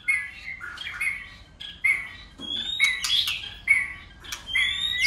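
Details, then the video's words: Competing white-rumped shama switching voices while flicking its tail: clear whistled notes held near one pitch, repeated at intervals, mixed with sharp upward sweeps and clicks. "Chòe lửa hót đấuđập đuôi đảo giọng liên tục!. cực bền.chòe lửa hót nhiều giọng"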